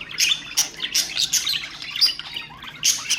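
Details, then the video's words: Budgerigars chattering to stimulate other birds: quick high twitters and raspy squeaks in uneven runs, a quieter stretch before a final loud burst. "اقوى أصوات طيور البادجي طيور الزينة أصوات تحفيز الطيور"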